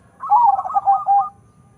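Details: Zebra dove, a cross of local and Bangkok lines, utters one loud rich burst of rolling coos about a second long, sliding slightly downward.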